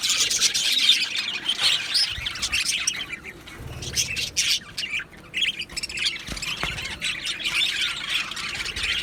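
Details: Two male Budgerigars give harsh squawks and scratchy, high chirps in uneven bursts, quieter in the middle, then chattering loudly again.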